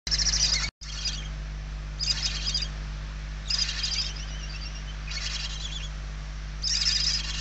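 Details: Hungry barn owl chicks in a nest, filmed inside in Spain on 28 November 2023, one chick very weak: harsh hissing bursts of about half a second to a second, separated by short pauses, over a steady low hum.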